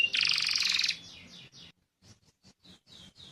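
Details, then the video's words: Yellow canary with a short dense buzzy trill lasting about a second, followed by faint, spaced falling chirps. "cannary bird yellow"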